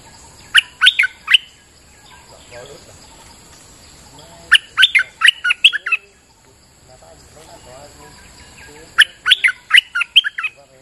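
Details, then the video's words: Bulbul in rainy weather giving a lure song: three bursts of rapid, bright, bubbly whistled notes about four seconds apart, with quieter chattering birds between them. "Suara pikat merbah lekir gacor"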